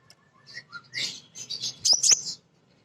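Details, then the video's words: Female kolibri ninja sunbird, a lure singer for other birds; a brief rushed run of high twittering notes ending in two loud sharp chips over a low hum. "Kolibri Ninja BETINA Ngriwik Nyrecet"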